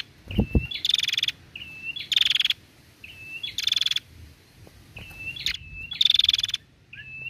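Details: Calls of a female Bar-winged prinia, used to make males sing. Brief level whistles lead into harsh, pulsed buzzing bursts, repeated four times in steady sequence, with a soft low thump near the start.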